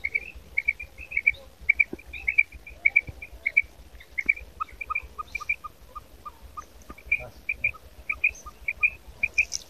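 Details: Female quail calling: rapid, high, chirping notes in quick runs, then a lower series of short clipped calls near the end, with faint background clicks.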